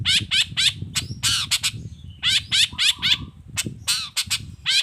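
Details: Long-tailed shrike singing as a lure for other shrikes; loud harsh notes repeated in quick clusters with a pause midway, over a low rumbling background.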